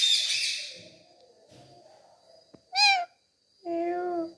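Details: Pet parrot enjoying a head massage, voicing two harmonic meow-like calls after a burst of rustling noise at the start.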